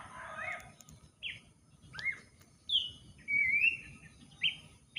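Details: Song of an Abbott's babbler accompanying garden work: a rough noisy burst opens, then crisp whistled notes, a falling whistle and a long sustained wavering whistle, ending with short repeated notes.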